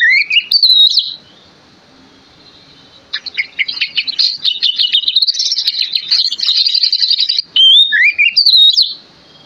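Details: Male Oriental magpie-robin giving a provoking lure song: opening whistled slurs, then several seconds of fast, dense, chattering twitter with mimic-like trills, ending in more rising whistles.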